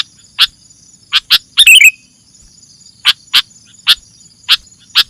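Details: Sooty-headed bulbul sound used to lure birds: spaced sharp chip notes, some doubled, and one quick warbled flourish in the middle, above a steady faint hum.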